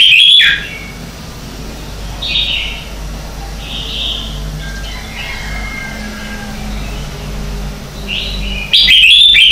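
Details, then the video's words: Red-whiskered bulbul morning contest song, used as a decoy to train and stimulate other birds: loud warbling bursts at the start and end, with quieter whistled phrases between them. "Luyện Chào Mào hót sáng hay nhất - To - Rõ - Vang"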